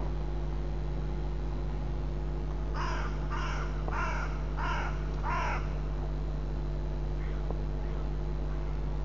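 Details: White-tailed eagle at its nest on 26 February, one of a pair working on the nest, gives a short series of five harsh, yelping notes about half a second apart, over a steady low electrical hum.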